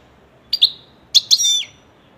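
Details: Captive European goldfinch giving a few short, sharp high chirps followed by a slightly longer twittering note.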